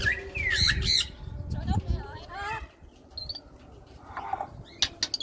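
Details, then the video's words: Domestic African grey parrot chattering non-stop with speech-like babble, bright squawks and short whistled notes, then quieter scattered clicks and a brief raspy burst. "My talking african grey"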